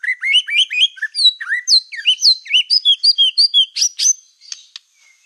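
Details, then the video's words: Loud, steady song of a black-tailed white-rumped shama, meant to make other shamas agitated; rhythmic series of upslurred whistled notes, about two per second, rising higher before a few sharp chips. "PANCINGAN MURAI BATU EKOR HITAM GACOR, SEKALI DENGAR AMPUH BIKIN MURAI APAPUN LANGSUNG EMOSI"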